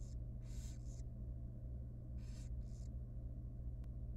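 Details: Tiny wild barn owl baby at feeding time in a nest box: two paired bursts of harsh hissing, each pair a loud rasp then a shorter one, a single click near the end, steady hum beneath.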